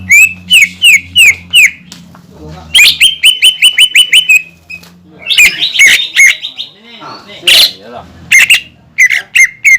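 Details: Greater green leafbird, a caged bird singing energetically, used to provoke other leafbirds into singing: bursts of rapid sharp chirps and whistled notes repeated in quick series, separated by short pauses, with a faint low hum beneath.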